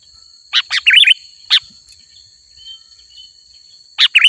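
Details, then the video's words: Sooty-headed bulbul, recorded as a lure for wild birds, gives short bubbly phrases: a cluster of quick chirps, a single note after a brief gap, then another chirpy burst after a longer pause. "Suara Burung Kutilang Gacor Asli 100% Ampuh Untuk Memanggil Burung Kutilang Liar Auto Mendekat"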